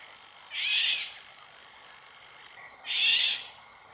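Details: Wild female Eurasian golden oriole near a pond, giving two grating, hoarse screeches roughly two and a half seconds apart, each about half a second long, over soft ambient noise.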